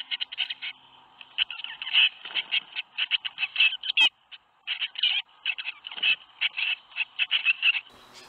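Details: Tit nestlings at Théding, 21 May 2019, as seven young fledge from their nest box: rapid, scratchy high chirps in irregular bunches, one sharp click midway and short quiet spells between volleys.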